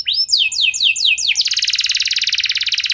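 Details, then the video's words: Canary singing to prompt other canaries into song: several clear downward-sliding whistled notes in quick succession, then a long dense rattling trill of very rapid high notes. "Kenari Anda Bisa Gacor Seketika Dengar Pancingan Kenari Nembak Joss Ini"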